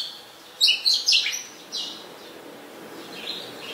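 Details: Adult Chestnut-headed bee-eater in Ubon Ratchathani, Thailand, on 23 January 2021: a quick burst of three or four sharp, high chirps lasting about a second, then one fainter note against a quiet background.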